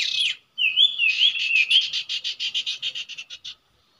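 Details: At a usual nesting site, a common iora gives a brief buzzy note, then a whistled wavering phrase that runs into a fast train of about fifteen dry buzzy pulses.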